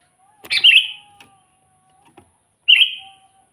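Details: Sooty-headed bulbul lure song for catching wild bulbuls; two brief bubbly whistled phrases, the first louder with a click, over a faint steady background tone.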